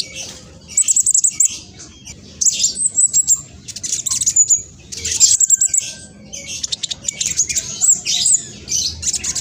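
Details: Speckled black sunbird in fast, noisy song meant to draw replies from other birds: clustered bursts of very high, hissing chirps and rapid ticks separated by short pauses.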